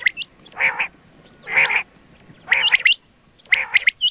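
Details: Quail calls used for hunting, called batair: four harsh, rasping bursts about once a second, each with sharp high upswept whistled notes on top.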